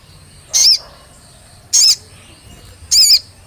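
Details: Olive-backed tailorbird lure recording for making the bird sing: three loud, sharp, high chirping notes with a slurred chevron shape, spaced about every 1.2 seconds over a quiet background.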